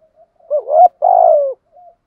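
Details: Spotted dove decoy bird calling in the urging-coo and calling-coo styles used to stimulate other doves; one low mellow phrase, a short bent coo followed by a longer sustained falling coo, then soft trailing notes in quiet surroundings.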